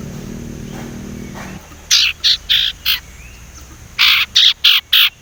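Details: Young male Sumatran leafbird, still unschooled, chattering as it learns to whistle: two bursts of loud harsh buzzy chips, four then four, rapid and evenly spaced, after a low droning hum fades out.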